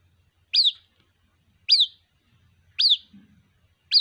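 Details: White-breasted waterhen chick calling to its mother with loud, piercing, falling peeps given every second or so, four in all, with a faint low murmur in the background.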